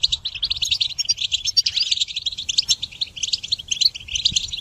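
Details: Songbird-training recording of a goldfinch singing a rapid, high-pitched twittering phrase of liquid chirps and buzzy trills, delivered without pause over a faint low hum.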